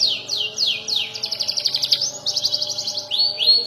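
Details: Juvenile canary practising rolls and sharp 'nembak' bursts: several sweeping down-slurred notes, then a rapid rolling trill of bright repeated syllables and upswept whistles.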